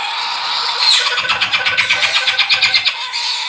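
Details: Hand-fed Galah cockatoo chicks, hatched in aviaries in Cyprus, give harsh, raspy begging calls in a fast pulsing rhythm, about three pulses a second, with a hissy background before and after.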